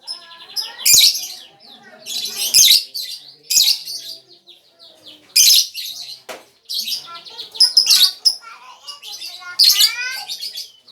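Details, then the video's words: Lovebird song for luring other birds: nearly nonstop shrill chatter with loud squeaky bursts, twittering trills and rapid high notes, quiet only briefly. "SUARA PIKATAN BURUNG LOVEBIRD (LAKBET)"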